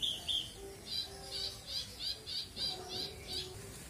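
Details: Australasian bushlark in captivity, its full song recorded as a tutor for other cage birds: two clear whistles open, then a rapid string of short buzzy high notes at about three per second, with faint low steady tones behind.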